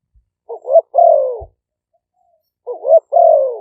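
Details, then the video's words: Spotted doves of Malay and lively-style strains, decoy birds recorded by smartphone in Roi Et, Thailand: two phrases of a rising, wavering lead-in note and a long drawn, gently falling coo, with a faint low knock between. "เสียงนกเขาใหญ่ คารม ปะทะ คารม"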